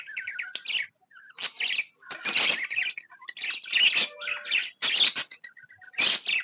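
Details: Happy tame budgie chirping: quick twittering notes mixed with brief whistled tones and scratchy, buzzy bursts in an uneven, chattering stream.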